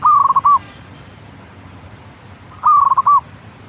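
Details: Zebra dove (local perkutut), a caged bird, song used as a lure to stimulate other perkutut to sing: a soft cooing phrase near one pitch, a rapid stuttered run ending in a separate rounded note, given twice about 2.5 seconds apart.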